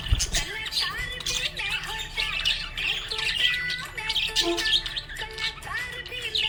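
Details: Budgie chirping in a happy mood, continuous scratchy warbling with short rising squeaks, a thump at the start and background music throughout.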